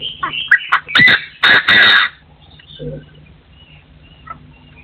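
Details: Partridge crowing from 2024: quick clipped notes leading into two loud rasping calls, followed by near silence with a few faint distant bird notes and a low hum.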